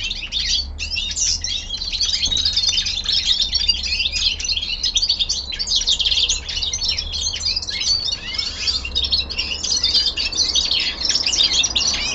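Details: Young male common linnet singing indoors at home in winter descant style: an unbroken, dense stream of high twittering, buzzy chirps and quick trills lasting the whole stretch, with a low background hum.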